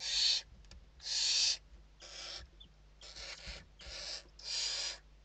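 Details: Inside a Western barn owl nest in Spain at evening feeding time, late November 2023: six loud, breathy, rasping shrieks, each about half a second, coming in an irregular series over a steady low background hum.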